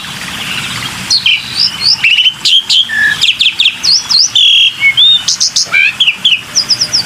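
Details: Black-winged myna in a lure recording: a lively jumble of sharp chirps, V-shaped whistles, buzzy notes and clicks, about four notes per second, rising toward the end.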